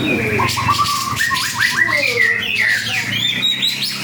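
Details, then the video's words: White-rumped shama, a 'panda' type singing actively, strings together rising whistled notes in a stepped series. Fluty slurs and a sharp high trill follow, over a low hum. "murai batu panda gacor"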